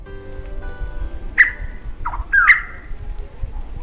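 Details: Rusty-cheeked Scimitar Babbler male and female breeding duet in the Kumaon hills, among shrubs near fields and forest edge: two loud, clear whistled notes about a second apart, with a lower slurred answering note between them, over faint background music.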